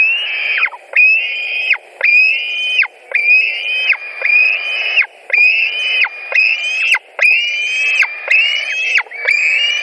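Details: White-tailed eagles at their nest in Latvia, mid-July 2020, with fish delivered. Rapid run of shrill, slightly rising squeals under a second long, each finishing in a quick falling slur.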